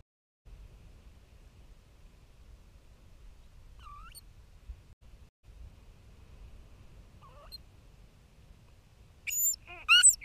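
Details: Bermuda petrel (cahow) pair together in underground nesting burrow, Nonsuch Island, 29 Jan 2019, sharing egg incubation, give faint wavering wails, then two louder quavering harmonic cries, over a low steady rumble.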